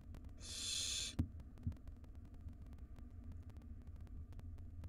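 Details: Barn owl nestling in a wild nest box at feeding time, the mother feeding its siblings; a single loud rasping hiss lasting under a second, followed by two low thumps and steady background hum.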